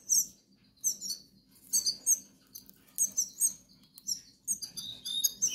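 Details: Hungry goldfinch nestlings from the Canary Islands give bursts of shrill, squeaky chirps, several short flurries separated by brief pauses, over a soft steady low hum.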